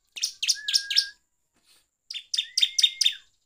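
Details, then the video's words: Bar-winged prinia song used as a lure to provoke other birds: two bursts of loud, rapid, high buzzy chirps repeated about four times each, with a thin sustained whistle running under them, pause between bursts. "PANCINGAN CIBLEK GACOR NGEPLONG BIKIN EMOSI"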